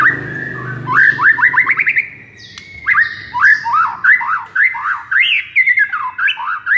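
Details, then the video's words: White-rumped shama song meant to spark a sluggish shama into full voice: bright run of quick rising notes, a short gap, then a long series of rapid up-and-down whistled notes. "MASTERAN EFEKTIF untuk Pikat Murai LOYO seketika langsung NGAMUK"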